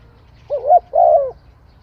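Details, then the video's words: Spotted dove giving one full cooing phrase: a short, wavering, bubbling coo that rises, then a longer, steady, mellow coo that falls at the end. The surroundings are quiet. "Tiếng chim cu gáy hay"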